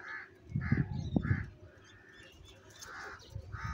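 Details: Crows feeding on cheese and fighting for food give repeated hoarse caws roughly every half second to second, steady and harsh, with low knocking and thudding noises beneath.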